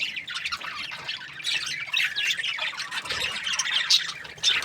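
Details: Group of Australian budgies keeping up busy chirping, bursts of scratchy, twittering notes rising and falling in loudness, slightly quieter and more uneven than a constant wall of sound.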